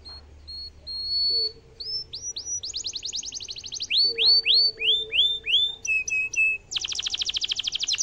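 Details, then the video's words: Domestic canary in vigorous cengkok mewah song, meant to prompt rival birds to answer: spaced high whistles, rising slurs, a dense buzzy trill, loud looping whistles over a low hum, then a final rapid rattling trill. "kenari gacor cengkok mewah bikin lawan langsung nyaut dan efektif buat masteran kenari paund"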